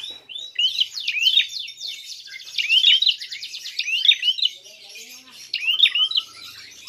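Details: Provoking fighting call of a prinia: loud angular chirps alternating with a fast mechanical-sounding buzzy rattle, in bursts separated by quieter pauses.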